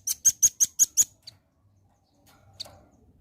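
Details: Velvet-fronted nuthatch song used as a lure to draw a quick response: a single rapid run of six piercing, high-pitched chips lasting about one second, then near silence with a faint click.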